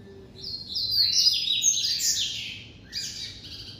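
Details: Bred in captivity, a White-collared seedeater gives its classic song: rapid, high, ringing whistled phrases and slurred buzzes that fall in steps, followed after a short pause by another bright phrase.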